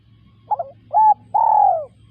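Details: Single spotted dove phrase: a wavering stuttered note, a short even coo, then a long, loud coo that slides gently downward, over a faint low hum.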